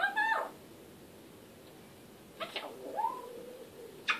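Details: Pet African grey parrot, talking, producing a short harmonic meow-like call, then after a quiet gap a clicking sound and a drawn-out wavering voiced sound, over steady indoor background hiss.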